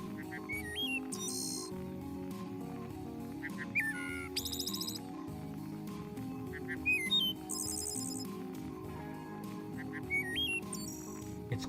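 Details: Wood Thrush singing an internal duet, both sides of its syrinx sounding separately: low fluted notes, then a high, buzzy, trilled flourish of two voices at once, phrases about every three seconds, over steady background music.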